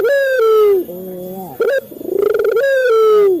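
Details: Male Barbary dove of local stock, played to stimulate captive doves to call: a long sustained coo, soft lower notes, a short clipped coo, then a rapid rolling purr rising into another long coo.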